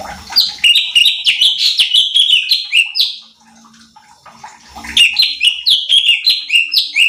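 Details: Cucak cungkok bulbul in a recording used to provoke rival birds. Two energetic phrases of quick, loud, downward-sliding whistles, separated by a quiet pause with a faint low hum.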